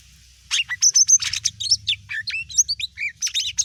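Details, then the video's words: Greater green leafbird song meant to provoke other birds into responding: a rapid, varied chattering run of sharp high chirps, sweeping whistles and clicks, nearly continuous after the first half second. "CUCAK IJO BUNYI BIKIN BURUNG LAIN IKUT EMOSI"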